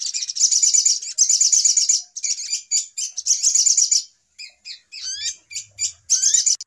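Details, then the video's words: Noisy sogok ontong lure call for trapping: bursts of shrill rattling chatter separated by short gaps, then scattered sharp notes and clear upward-sweeping whistles toward the end. "Suara Pikat Ribut Burung Sogok Ontong Paling Mujarab"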